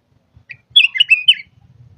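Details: Short lively phrase from a caged Red-whiskered bulbul in Thailand: four or five quick, liquid whistled notes run together, with faint low rustling afterward.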